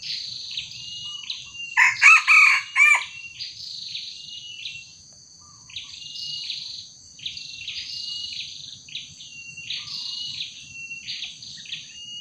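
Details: During the luring of a young wild junglefowl with a small decoy, a red junglefowl gives one short, rasping crow in several bursts, then repeated high chirps of other birds fill the rest.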